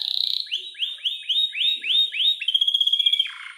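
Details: Canary song to encourage a reluctant bird to sing: a series of upward-slurred whistled notes repeated about four per second, followed by a fast high trill.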